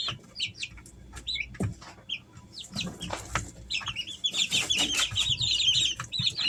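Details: Three-week-old Easter Egger chicks kept at home: a few isolated peeps at first, building after four seconds into a rapid, continuous chorus of high chirps over pecking and rustling.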